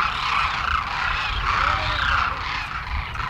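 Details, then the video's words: A wintering flock of about 12,000 Demoiselle Cranes feeding in fields near villages in Rajasthan, India, calls continuously, with many rolling, croaking trumpet notes overlapping into a steady chorus over a low rumble of wind or distant traffic. "Cranes feeding en mass"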